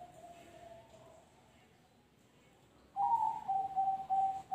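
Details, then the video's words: Zebra dove kept as a songbird, singing in the noklak nekung style: quiet faint notes and a pause, then a loud burst of an upswept opener and rapid, pulsed level coos. "suara perkutut noklak nekung"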